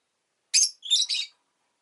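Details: Pet rosy-faced lovebird giving a quick run of three scratchy, buzzy chirps within under a second, high and harsh, against a silent background.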